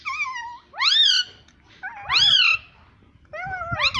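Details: Pet talking parrot producing voice-like utterances: three loud, wavering, nasal rising-and-falling phrases spaced about a second apart, each rich in harmonics, with quiet room background between.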